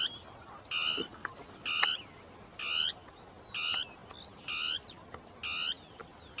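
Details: Territorial song of a Northern tapaculo in shrubland, two birds interacting. Harsh, frog-like notes come regularly, roughly one per second, with a few sharp clicks and soft high calls between them.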